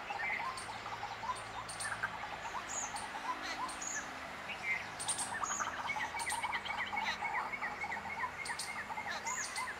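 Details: White-breasted waterhen (Amaurornis phoenicurus) calling with rapid, repeated croaking notes in a steady series, over a busy background of other birds' sharp chirps and whistles.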